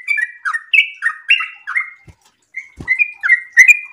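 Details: Sooty-headed bulbul in breeding condition singing an excited, long rapid song: bright whistled notes sliding down in quick pairs, a short pause near the middle, then more rising and falling phrases, with two dull knocks in the gap.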